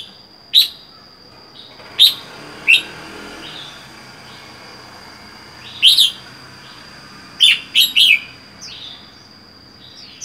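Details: Red-whiskered bulbul kept alone in a cage for four months after wild capture, giving short sharp chirps and brief warbled phrases spaced a few seconds apart, over a constant high background whine.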